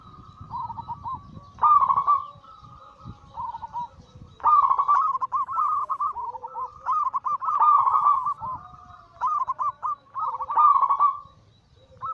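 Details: Zebra doves, local Bangkok crossed with cemani katuranggan silver, a group of birds used as a daily lure to stir silent doves into singing; overlapping rolling, bubbly coos in bursts with short pauses between phrases.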